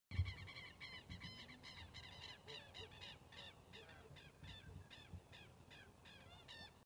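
Southern lapwing giving a rapid series of harsh, strident, ringing notes, about two or three per second, that fade toward the end, over low rumbling wind.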